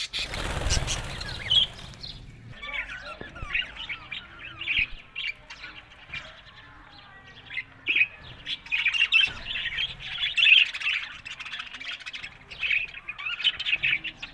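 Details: Happy talking budgerigars in a flock: after two seconds of low rumbling noise, a dense warbling chatter of scratchy chirps and sharp squeaks, with brief louder peaks near eight and ten seconds.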